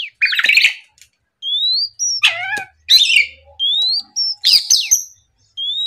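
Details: Oriental magpie-robin song at morning, to provoke competitors: long rising whistles alternate with scratchy, buzzy chatters and downward slurred notes, each phrase separated by short gaps.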